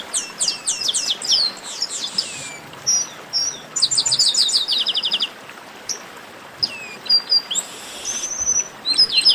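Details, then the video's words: Warm-up chorus of chestnut-capped blackbirds: a fast sequence of hooked whistled notes leads into dense trilled runs, then scattered single whistles and a harsh buzz, birds overlapping throughout. "Melhor Esquenta de Garibaldi"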